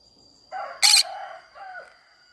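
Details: Green-cheeked conure singing in a flower garden: a short run of harmonic, nasal chattering notes, broken by one loud harsh screech, then a falling nasal note. A faint steady whine runs throughout.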